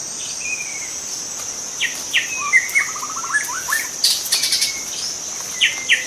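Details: White-rumped shama, a young wild forest bird, giving sparse whistled phrases: a level whistle, sharp slurred notes and a rapid rattling series of short notes, with a constant high-pitched insect hum throughout.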